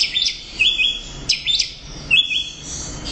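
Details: Loud song of an orange-headed thrush, locally anis merah: repeated paired sweeping notes and short whistled phrases, roughly one phrase every second.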